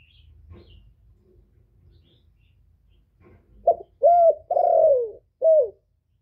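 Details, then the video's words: Male spotted dove used as a decoy, calling to lure wild doves in. After a quiet start, a coo phrase comes near the end: a brief note, two mellow falling coos, a longer one, and a short closing coo. "tiếng chim cu trống kéo bổi về tàng"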